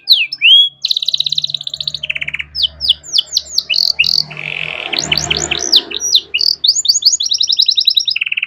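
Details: Canary master song with rich phrasing, used to train other songbirds: fast rising sweeps, buzzy rattles and rolling trills in quick succession, with a low hum beneath parts of the song.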